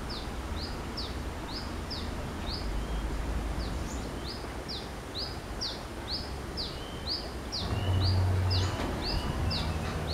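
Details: Wild brown-throated sunbird singing in the morning near its nest tree, after singing in a tamarind tree: a long, steady run of high, sharp, slightly falling notes, about two a second, over a low rumble of background noise.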